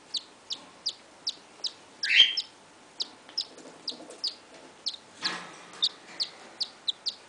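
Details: Cockatiel chicks only 3, 4 and 5 days old, taking first steps, give a steady run of thin, high peeps, several each second, with a couple of louder rasps.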